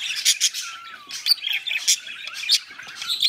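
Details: Pet budgerigars mating chatter in fast, harsh squawks and scratchy chirps, broken by a brief descending whistle, with bursts every half second or so.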